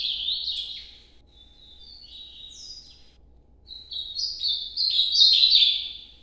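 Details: Ultramarine grosbeak, northeastern style, in a night-time recording: a clear whistled warbling phrase of sliding notes, a pause, then a longer, louder phrase of varied rising and falling whistles over a quiet low hum.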